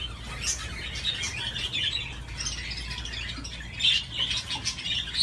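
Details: Budgerigar on a swing, chattering softly with scattered chirps and squeaks, a few louder sharp notes near the end, against a noticeable low hum.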